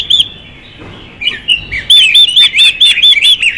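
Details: Singing female Chinese hwamei of the "xùy" style, meant to fire up males: a short whistle, soft slurred notes, then a quick loud string of bright looping whistles.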